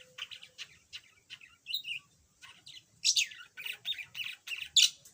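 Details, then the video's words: A yellow budgerigar that used to be mute and now chatters a bit sings soft scattered chirps that build into a louder burst of rapid, scratchy warbled notes toward the end. "Kicau Burung Parkit"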